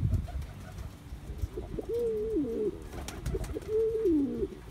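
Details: Young male Cuban Pouter pigeon cooing while perfecting his courtship dance: after some low thumps and shuffling, two looping, throaty coos that climb then fall in pitch.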